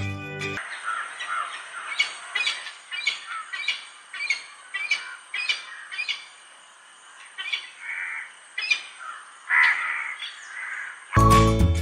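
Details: Black shaheen falcon (Falco peregrinus peregrinator), a non-migratory peregrine subspecies, in Sri Lanka, gives a series of harsh, grating calls about one per second over a thin high hum, with music at start and end.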